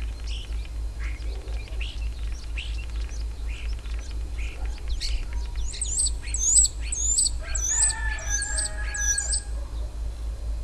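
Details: A common starling sings in a dacha garden plot, a varied medley of clicks, rattles and high, sliding whistles over a low rumble.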